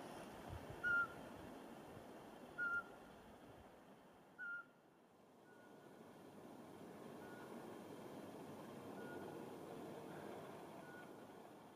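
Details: Eurasian pygmy owl hooting in mid-March 2019 in forest near Porkuni, Virumaa, Estonia: short, clear, mid-pitched whistled hoots about every two seconds, strong then fainter, over a steady background rumble.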